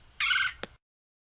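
A Red-bellied Woodpecker gives a single harsh, rolling churr about a third of a second long, followed by a faint click, then silence.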